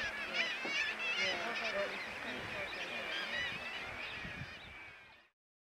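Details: A Black-legged Kittiwake colony with fluffy grey chicks on cliff nests at Bempton Cliffs, UK, makes a dense chorus of nasal, wailing calls overlapping without pause, several birds at once.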